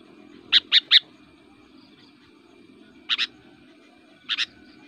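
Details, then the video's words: Kutilang, the Sooty-headed Bulbul, from a fighting-song recording meant to provoke rival birds: a quick triplet of sharp chirps, then two widely spaced double chirps over a faint steady background hum. "burung kutilang gacor, super fighter, ngotot aktif bikin emosi"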